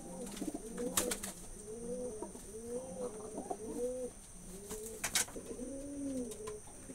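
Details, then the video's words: Pigeons coo in a room with soft, rounded, arching notes that rise and fall, several birds overlapping in steady bursts. Occasional sharp clicks and taps break in, over a faint constant high-pitched hum. "কবুতরের ডাক || পায়রা কবুতরের ডাক Pigeon sound effect"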